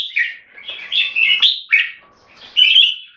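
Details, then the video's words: Short burst of red-whiskered bulbul song from a caged Singapore jambul: a few rich, slurred whistled notes and a sharp upward sweep, then a pause before a final bright phrase. "นกหัวจุก JAMBUL - SOLID CLEAR KEKE & SINGING"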